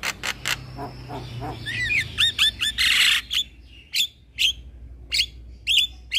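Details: Black-winged starling, a young male kept as a cage bird and recorded as a training master, sings in loud rasping bursts and a few clear curved whistles, spaced by short gaps, with a faint low hum behind.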